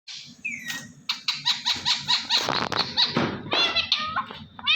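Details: Pet parrot talking indoors, chattering strings of harmonic syllables, squeaks and whistled notes with a few harsh bursts, imitating words such as a greeting and laughter; steady low hum behind.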